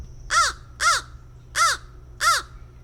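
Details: American Crow, among the most common birds of Saint Joseph and Elkhart County, Indiana, giving its loud cawing song: four harsh, hoarse caws evenly spaced about half a second apart, over a low steady hum.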